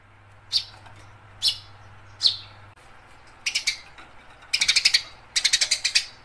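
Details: Eurasian tree sparrow fighting and calling energetically, meant to stimulate other sparrows to sing: a few single sharp chirps spaced about a second apart, then accelerating rapid strings of shrill, repeated chirps.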